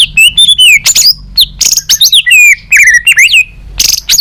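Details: Murai batu, or white-rumped shama, in the 'balak 6' style used to lure birds: loud, rich phrases mixing clear descending and rising whistles, harsh buzzy notes and sharp chips, delivered in quick successive bursts with short pauses.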